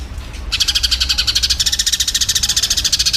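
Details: Fighting Eurasian tree sparrow used as tutor audio for songbirds. After half a second of quiet, a steady run of fast, scratchy, high-pitched chirps continues to the end, with a low background hum.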